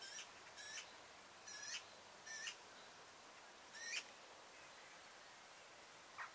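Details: Eurasian oystercatchers, young birds following their feeding parents in meadows near Zaandam in late May or early June: short, sharp, high piping notes in irregular bursts about every half second to second, over a soft steady outdoor hiss.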